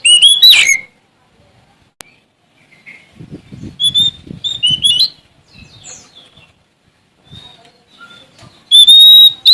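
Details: Oriental magpie-robin of the Sumatran kind singing to challenge rivals: a sliding rising whistled phrase opens, scattered short whistles and soft low rustling fill a quiet middle, then a loud sustained whistle returns at the end.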